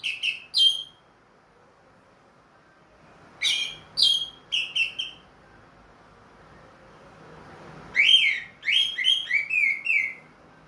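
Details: Caged orange-headed thrush with a leg ring, recently through its moult and singing freely again. It gives three bursts of loud whistled song made of short, sharply falling notes, with quiet pauses between them.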